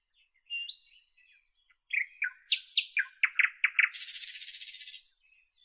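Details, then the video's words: Soft fluting whistles from a nightingale give way to quick, sharp chirps and staccato notes, ending in a sustained, very high, buzzing trill. No other sounds. "Nightingale Birdsong"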